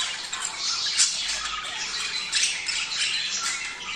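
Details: Budgie mating chatter used to excite a pair into breeding: dense, rapid high-pitched squawking and twittering throughout, strongest accents near one and two and a half seconds.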